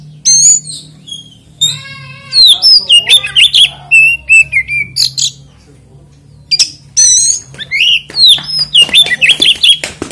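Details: Extended oriental magpie-robin lure song for starting other magpie-robins singing: harsh grating notes mixed with fluty whistles and buzzy slurs in quick runs, a quiet gap, then a fresh burst of sharp squeaky phrases; low background hum.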